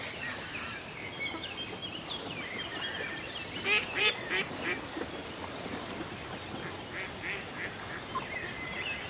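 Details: Ducks gliding on a country lake give playful quacks: a burst of four loud, harsh, nasal calls near the middle, then scattered softer quacks, with faint high bird twitters and gentle background hiss.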